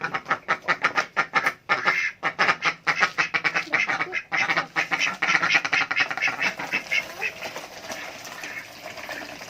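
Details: Adult duck begging for food: fast repeated harsh quacks, roughly two per second, becoming a continuous blurred chatter toward the end.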